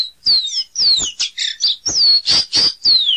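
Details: Caboclinho seedeater singing a fast, loud series of clear whistled notes that slide downward, mixed with short buzzy bursts, about eight phrases in three seconds, with no other sounds.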